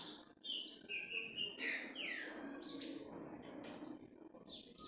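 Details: Green-winged saltator (trinca-ferro) giving escorrida-style song: a quick sequence of bright whistled notes and descending slurs, some high and thin, over constant low background noise.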